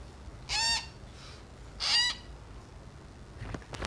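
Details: Grey parrot (Psittacus erithacus) chick, 4 days old, being hand-fed, gives two harsh, buzzy begging squawks about a second apart, followed by faint clicks and handling noises.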